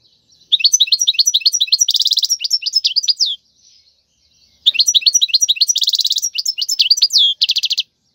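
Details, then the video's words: Wild European goldfinch, a song for teaching chicks: two long bursts of rapid tinkling notes, each with a dense rattling trill in the middle, separated by a pause. "تغريد الحسون البري لتدريب الفراخ"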